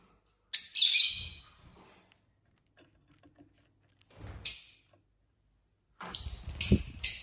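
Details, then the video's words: Pet lovebirds at dinner time, giving three bursts of high, harsh chirping, each a rapid cluster of sharp notes, separated by short silences, with faint low rustling underneath. "Lovebirds dinner time | lovebird singing & chirping sounds"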